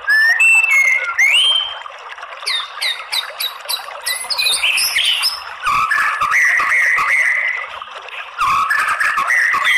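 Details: Used to bait males into fighting song, this white-rumped shama performance opens with rising whistles, then a rapid run of short sharp chips, followed by warbled phrases and a rising whistle at the end.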